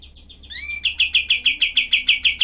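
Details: Kapas tembak, known in English as cream-vented bulbul, giving harsh 'tembakan' song for tutoring cagebirds: a few soft notes and a rising slurred whistle, then about eleven loud, evenly paced, clipped notes.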